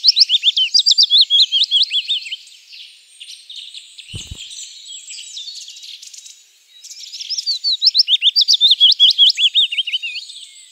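A willow warbler sings soft, sweet whistled phrases that trickle down the scale and fade away.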